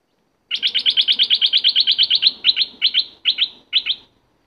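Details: Wild red-whiskered bulbul in the forest, lured with a decoy bird; a fast string of about sixteen sharp chirps, then four short bursts of paired notes, with a low hum behind.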